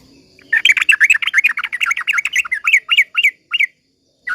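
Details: Sooty-headed bulbul song played slowly to provoke other bulbuls into singing: a rapid run of short chirpy notes around the middle register, slowing toward the end into separated rising-falling phrases, then a final brief note.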